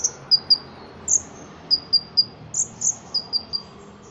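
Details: Caged Ruby-cheeked sunbird, a competition bird from Cililin, Indonesia, singing a lively song filled with cotton-cricket imitation: thin, very high chirps and short descending ticks, about a dozen notes in quick uneven bursts, over faint low hum.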